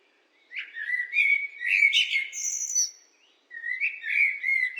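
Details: A blackbird sings a rich fluted phrase ending in a high, thin squeak, pauses briefly, then starts another soft, warbling phrase.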